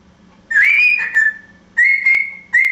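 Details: Captive African grey parrot, a talking, whistling and singing bird staying on holiday with a family; three loud clear whistles near steady pitch, the first wavering upward, separated by short gaps, with a faint low hum behind.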